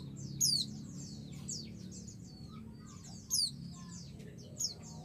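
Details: Female white-eye calling a male, meant to stir him into replying: sharp, high descending chirps near the start, around three seconds and near the end, with faint scattered twitters and a steady low hum.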